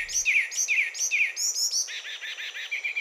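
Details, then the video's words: Carmiol's tanager singing: slurred phrases that drop sharply, repeated three times, then a quick series of arched notes and softer chirps, with no other sounds. "O canto do Sanhaço esverdeado"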